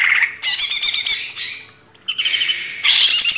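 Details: Master training recording of a caged greater green leafbird: loud, rich high chattering with fast trills and whistled notes, a brief pause, then another burst of buzzy, warbling song.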